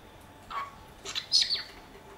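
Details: Domestic cockatiel in Dortmund-Huckarde, Germany, uttering a few soft, separate chirps followed by a higher, slightly louder twittered note, against a quiet indoor background.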